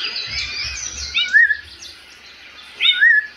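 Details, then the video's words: Rufous-bellied thrush song during the breeding season: two short, clear whistled phrases about one and a half seconds apart, over a wash of thin, high chirping from other birds and faint low background noise. "Sabia laranjeira cantando"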